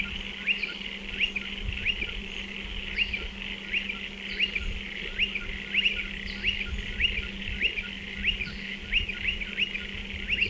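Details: Several striated pardalotes calling near nest burrows in a dry stone wall; many quick upswept chirps overlap continuously against a steady high hiss and a low hum.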